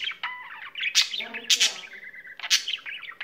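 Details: Caged pet budgerigar in full song, rapid chirps, short steady whistled notes and harsh buzzy bursts tumbling together without pause.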